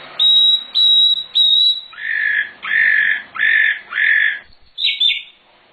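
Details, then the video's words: Master recording of a sikatan londo (nightingale) for training birds: three steady high whistles, then four longer harsher lower notes at an even beat, closing with a quick double chirp. "Suara Sikatan Londo Nightingale Gacor Full Isian"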